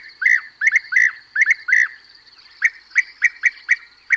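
European bee-eaters give rolling, liquid 'prruip' calls, often doubled, at an uneven pace of about one a second, over a steady thin high-pitched hum.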